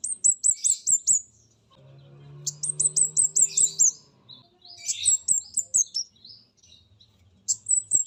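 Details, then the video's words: Orange-headed thrush of a mountain spotted type, played as a lure: fast runs of sharp, high, downward-sliding chirps repeated in bursts, with a low steady hum in the middle. "Pancingan Burung Comade Gunung Trotol"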